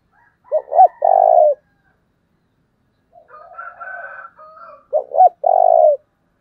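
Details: Spotted dove used as a decoy, giving thúc calls to provoke wild birds. Two loud phrases of two short notes and a long rolling coo, with a quieter, higher cooing sequence from another dove in between.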